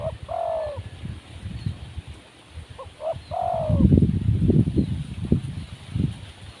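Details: Wild spotted dove, described as timid, utters two cooing phrases of quick soft notes capped by a long, low, falling coo. A burst of low rumbling noise follows the second phrase.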